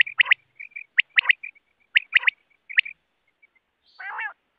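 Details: Rain quail call from a recording used as a hunting lure: sharp, paired metallic notes repeated about once a second, with softer short notes between and a harsh buzzy burst near the end.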